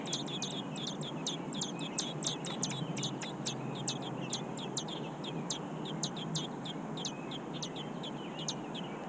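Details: Hefty nestling robins at the nest utter dense bursts of sharp, high chirps that come fast at first and then space out more loosely, with a quiet hissing background throughout.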